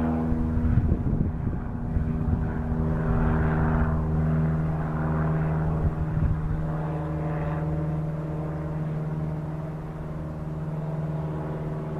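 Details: A steady, low droning engine hum, like a propeller aircraft passing, fills the recording, with no animal calls heard.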